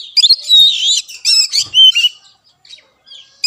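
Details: Caged-bird lure song of the Oriental magpie-robin, or kacer: a dense run of buzzy and whistled notes, then a clear falling whistle before a quiet stretch and one final sharp note.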